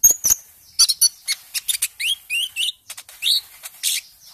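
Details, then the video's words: Lure song from a young speckled-green Konin bird, conditioned among other caged birds so it will sing: quick ticking notes followed by bright upward-slurred whistles, a busy varied phrase. "Pancingan Konin " Ijoan trotol tahap awal dari Ombyoan"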